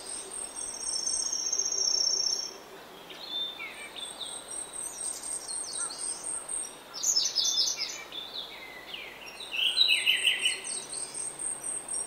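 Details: Early-morning song of a grey-backed thrush in oak woodland, varied whistled and slurred phrases, some louder and richer, coming in separate bursts against a continuous shrill pulsing insect drone.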